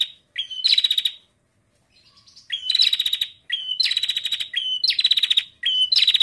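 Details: Prinia female giving a calling display meant to provoke males into song: bursts of quick, rattling high ticks, each led by a short rising note, with a pause after the first burst.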